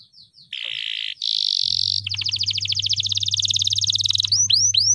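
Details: Agitated canary singing before a contest: short buzzy high notes, then long steady trills and a fast rapid-fire trill of evenly repeated notes, ending in upward-curving whistled notes, over a low steady hum.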